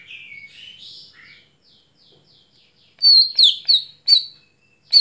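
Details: Greater green leafbird singing at night: soft, varied whistled and buzzy warbling slides into quiet, then loud, sharp, high chirps rise and fall quickly in a fast, uneven series.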